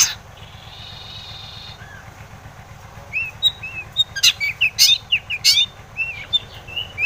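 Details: Long-tailed shrike used to provoke other shrikes, starting with a faint steady tone, then a quiet gap, followed by loud scratchy bursts mixed with short rising and falling whistles.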